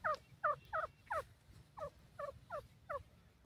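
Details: Baby grey francolins exploring the forest: a handful of soft, quavering cheeps, closer at first and then fainter, over low background noise.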